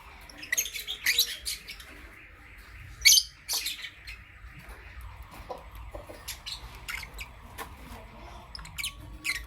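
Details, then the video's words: Lovebird chirping in the morning: clusters of quick high chirps early on and a loud burst near three seconds, then softer scattered chirps over a steady background hum. "Lovebirds Chirping Sounds"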